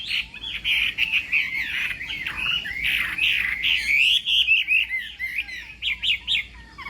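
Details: Morning voice-training song from a Chinese hwamei in a singing contest: a long, rolling warble of connected whistles, ending in a quick series of short, rising notes.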